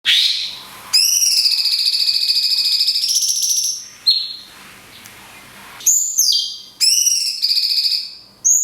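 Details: Cungkok singing a 'tembakan kunti panjang' (long kunti shot) style of song in a recording meant for training songbirds. Long, loud, high whistled notes hold steady and then step up in pitch. Short bright phrases follow after quiet pauses.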